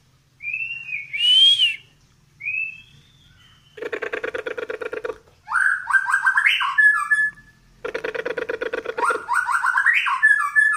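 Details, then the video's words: Medan white-rumped shama singing continuously while pushing its tail: high whistled notes give way to harsh buzzy rattling bursts, then rapid stepped rising whistles, with the rattle-and-whistle sequence repeated. "MURAI DORONG EKOR LANGSUNG NGEDUR"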